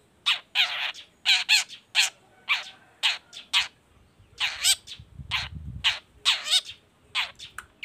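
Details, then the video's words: Long-tailed shrike of the Baham type, singing actively as a lure to draw other shrikes into song: harsh, buzzy, broadband chattering notes in bursts of two or three, repeated steadily, with a brief low rumble near the end. "CENDET GACOR❗PANCINGAN CENDET BAHAM EFEKTIF BUNYI SANGAT COCOK BUAT CENDET LAINYA AGAR IKUTAN BUNYI"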